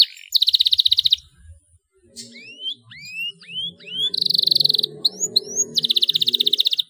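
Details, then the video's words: Canary in full, energetic song, used as a lure to stir young canaries into singing: buzzy high trills alternate with a run of upward-curving whistled sweeps, then two more long rapid trills, over faint low background rumble. "CUITAN KENARI 7 !! KENARI GACOR DOR PANCINGAN JITU KENARI BAHAN"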